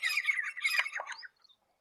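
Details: Grey Francolin in territorial defence gives a harsh, grating burst of squawky notes for just over a second, then falls silent.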